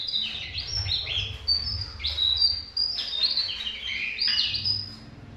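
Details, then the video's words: Tesia song: a rapid jumble of very high, thin whistled notes and sweeping trills, pouring out almost without pause, over a faint low hum. "burung tesia materi jongkangan"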